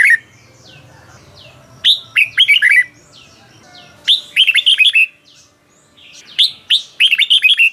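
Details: Red-whiskered bulbul, Thailand, singing a 'bearn' style phrase meant to rouse caged birds: soft thin whistles first, then three rapid bursts of loud, lilting, up-and-down whistled notes about two seconds apart.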